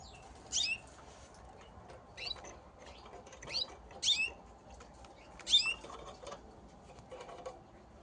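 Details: Gloster canaries fighting: sharp, harsh chirps in bursts roughly every one to two seconds, each a quick cluster of high notes, with a steady low background hum between bursts.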